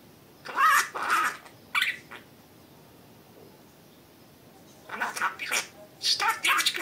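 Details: Pet budgerigar indoors giving two short raspy bursts of mimicked speech, a long quiet gap, then a denser run of scratchy high chatter.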